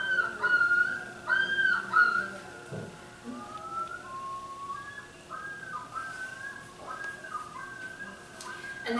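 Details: Common loon (Gavia immer), yodel: territorial call announcing the territory to other loons.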